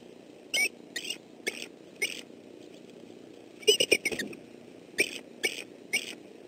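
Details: Male bald eagle in southwest Florida on 28 December 2013, defending his family as an intruder approaches the nest, gives short sharp squeaky chirps in loose groups, sometimes a quick cluster of three or four, with background rustle.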